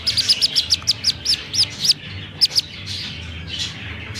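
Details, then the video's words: Black-bellied Whistling Duck chick picked up at a roadside around 6:30 pm, uttering a quick series of about nine shrill, slightly down-curving peeps, then two more after a short gap. "llamado de auxilio de un pichón de pisingo o iguaza Común"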